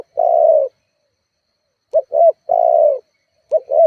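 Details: Spotted dove cooing to provoke rival birds as a lure: a long mellow coo, a pause, then two short coos and another drawn-out coo, followed by another short pair.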